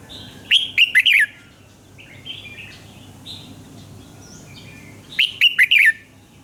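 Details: Morning song of a red-whiskered bulbul, a training voice for other birds: two loud phrases of quick whistled, falling notes about five seconds apart, with softer chirping from other birds in between.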